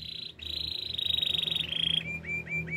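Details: Canary training song, meant for coaching young canaries: a buzzy rolling trill held near one pitch, then shifting to a lower trill and ending in short rising chirps repeated about every quarter second.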